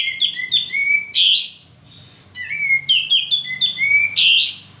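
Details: Male sooty-headed bulbul singing on a lure recording: lively repeated whistled phrases of rising and stepped notes, broken twice by loud scratchy rasps.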